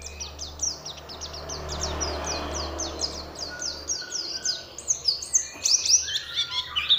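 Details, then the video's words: Oriental white-eye song used as a lure to provoke other white-eyes to respond and sing: rapid high, thin, sweeping chirps in a fast run, growing louder toward the end over a low background hum. "pancingan suara untuk pleci agar mau kluar isian"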